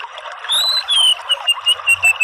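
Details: Anis merah, the orange-headed thrush, in a therapy recording meant to draw a 'ngeriwik' bird into 'ngeplong' song: a long, drawn whistle falling slightly in pitch, then a rapid series of short repeated whistled notes on one pitch.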